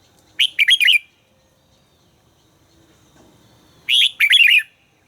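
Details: A red-whiskered bulbul under voice training delivers two short, identical warbled phrases about three seconds apart, each a rapid cluster of four rich, slurred notes, with near silence between them.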